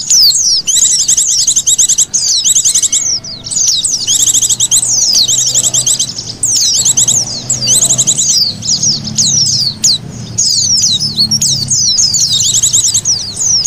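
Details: Oriental white-eye lure sound: long stretch of excited high-pitched chirping, fast trills and slurred notes, nearly continuous, with a faint low hum underneath.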